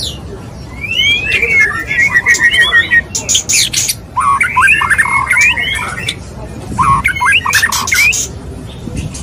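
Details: Courting male white-rumped shama calling to a female: bursts of fluttering whistled phrases broken by harsh, buzzy broadband rasps, with short pauses between bouts.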